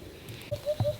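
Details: A Eurasian Hoopoe calls on a rural property after a day of rain: soft, hollow 'oop-oop-oop' hoots, three low notes in quick succession, over a faint low background rumble.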